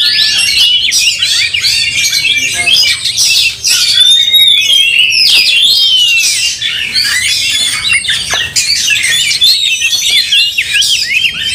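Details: Oriental magpie-robin, enraged and fighting with tail spread, stirring up another magpie-robin; a nonstop dense stream of high chirps, squeaks and whistled slurs delivered at a fast, irregular pace.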